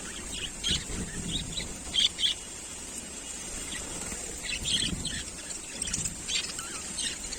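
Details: Budgerigars eating green food give short, bright chirps in scattered bursts over a steady background hiss.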